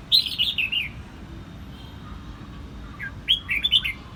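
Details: In Quang Nam, Vietnam, a red-whiskered bulbul sings two clear phrases of bright, slurred, falling whistles separated by a two-second pause, with a faint low hum beneath.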